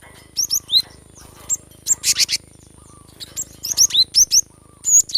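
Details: Cinereous tit (gelatik batu) in lively 'gacor' song aimed at getting idle birds singing: bright whistled notes in rhythmic pairs and a harsh buzzy burst midway, ending with a rapid series of ringing rising whistles.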